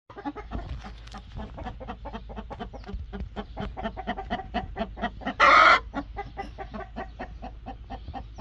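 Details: Angry broody hen giving a fast series of low, grumbling clucks, roughly four a second, broken near the middle by one loud, harsh squawk before the steady clucking resumes.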